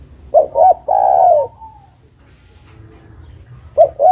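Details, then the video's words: Female spotted dove calling a male, recorded for bird luring. Two quick soft coos lead into a long, slightly falling coo. Two more short coos begin the next phrase, with a faint background hum. "tekukur betina memanggil jantan - UNTUK PIKAT"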